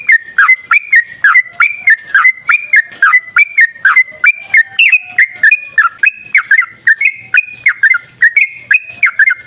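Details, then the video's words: Sooty-headed bulbul in rapid 'gacor ropel' song, played to lure bulbuls into singing: a continuous run of quick, liquid two-part whistles, each dropping then leveling, spaced evenly. "Suara trucukan gacor ropel ngalas"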